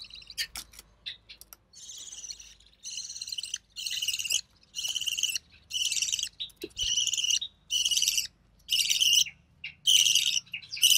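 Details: Captive recessive pied budgerigar chick, hatched early June 2020, calling while its mother feeds it; harsh buzzy rasps repeated roughly once a second in a steady series, each about half a second long.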